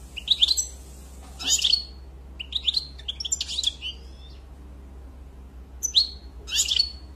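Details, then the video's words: European goldfinch singing in short bursts of bright, high twittering and tinkling notes separated by pauses, with a steady low hum underneath. "Très beau Chant"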